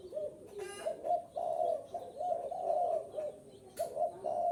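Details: {'caption': 'Spotted dove lure call to draw in wild birds: a steady series of soft, hoarse coos in short connected phrases, with a brief rustling noise near the start and near the end.'}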